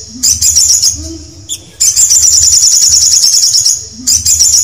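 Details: Canary song: a long, fast, very high-pitched rolling trill of two seconds, opened and closed by shorter trill bursts, with a faint low tone in the pauses.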